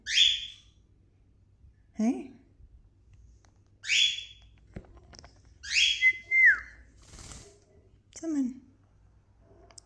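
A female cockatiel gives harsh, high screeching calls, repeated every couple of seconds, with a person talking nearby.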